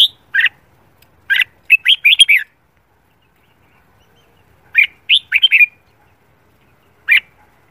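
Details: Morning song of a red-whiskered bulbul trained for singing contests: two clusters of quick whistled notes in brisk runs, separated by a pause of over two seconds, then a lone final note; quiet surroundings.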